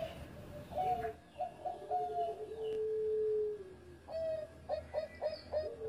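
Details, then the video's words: Bangkok zebra dove, once a first-place contest winner, singing: separate mellow coos, then a sustained low tone that slowly falls, ending with a rapid stuttering burst of short bubbly notes; steady background noise throughout. "Perkutut Bangkok Gacor Mantan Juara 1"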